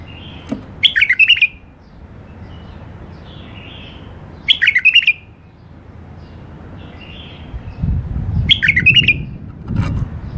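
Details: Bulbul in a cage, part of a tame male and female pair: three matching phrases of fast, melodious whistles repeated roughly every four seconds, with soft chirps between and low background rumble.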